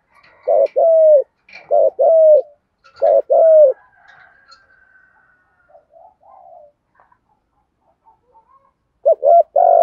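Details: Spotted dove giving 'thúc gù' coos in the 'giọng thổ' voice, used to stir other doves into calling quickly. Low mellow coos come in quick pairs and triplets, then a long quiet gap with faint soft notes, and a final coo pair at the end.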